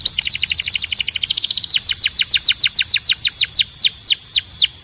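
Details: Strong, clean song of a Belgian canary, meant for training birds: a very fast high rattle of repeated notes, then a tour of falling whistled slurs repeated about three to four times per second.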